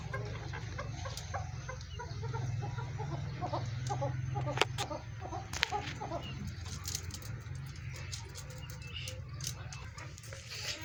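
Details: Captive breeding pair of large chukar partridges in an excited, lively state. Rapid, irregular series of short clucking notes, about three per second, with scattered sharp taps and clicks over a steady low hum, plus brief human speech.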